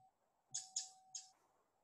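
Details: Pacific Wren giving a very typical call, possibly a contact call: three sharp, dry chip notes, the first two close together and the third after a brief pause, over a steady low hum.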